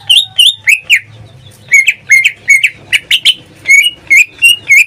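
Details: Pet greater green leafbird in full song: steady stream of bright whistled notes, many short upslurred and downslurred phrases repeated at an even pace, some doubled sharp chips, faint hum underneath.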